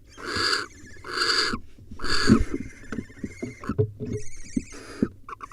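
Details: At a wild barn owl nest, recorded by a nest camera while the male brings a young swallow as prey for the nestlings. Three rasping hiss bursts in quick succession, then softer scuffling and faint twittering notes.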